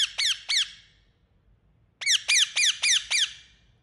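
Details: Pet Indian ringneck making high, sharp down-slurred squawks: three in quick succession, a one-second pause, then a run of six at roughly three per second.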